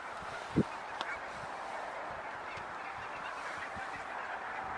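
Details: On 8 February 2022 in Zeeland, Netherlands, a very large foraging flock of barnacle geese keeps up a steady, blended chatter of short yapping calls, with one low thump near the start.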